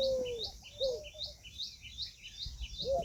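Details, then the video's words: Indian peafowl, a peahen, gives a strong drawn-out tonal note that slides slightly downward, then shorter arched notes later; a small bird chirps rapidly and steadily at high pitch throughout. "Peahen bird the Indian peacock/most clear sound"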